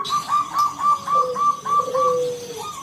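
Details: Local zebra dove calling to stir other doves into song: a steady string of evenly spaced ringing coos, about three per second, over a lower drawn-out sliding coo and faint room hiss.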